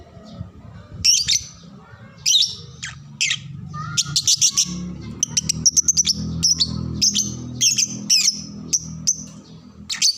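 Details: Lovebird song played for young birds to learn from: a long, busy stream of sharp, high chirps and squeaks, quickening into closely spaced repeated notes, with a steady low hum underneath.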